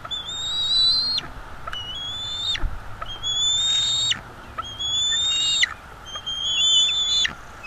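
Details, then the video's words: Bald eagle juveniles at a North East Florida nest calling at food delivery: five long, high, slightly rising whistled squeals about every second and a half, each ending in a sharp drop, with low hum behind. "Food delivery for fluffy Juveniles on the North East Florida Eagle Livestream"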